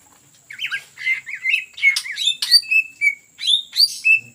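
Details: Greater green leafbird (cucak ijo) in lively ngetrok-style song used as a lure for other birds: rapid burst of whistled and chattering notes, sliding phrases between upper and high pitches, about three notes per second, with a steady faint high hum behind.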